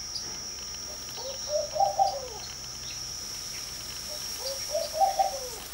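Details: Early-morning Laughing Dove sitting in a porch beside a garden with a pool. It gives a pair of low, chuckling multi-note coos, each climbing then dropping away, separated by roughly three seconds, against a constant high-pitched whine.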